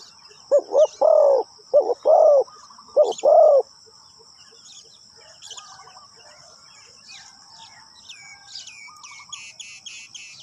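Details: Spotted dove used as a decoy, cooing to lure wild doves: a short run of low, hoarse, rounded coos over about three seconds, followed by higher chirping from other birds and a steady thin insect whine.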